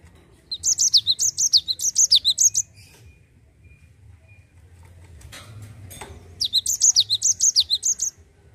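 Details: Two bursts of Java sparrow rolling song used to coax other birds to sing, each a rapid string of high descending whistles lasting about two seconds, separated by a quiet gap with a brief rustle.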